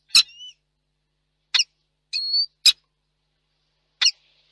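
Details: On the evening of 1 July 2022, after a storm, a peregrine falcon pair meets at its nest in Reda, Poland. Harsh clipped calls alternate with a couple of thin, whining, drawn-out notes, spaced irregularly about a second apart.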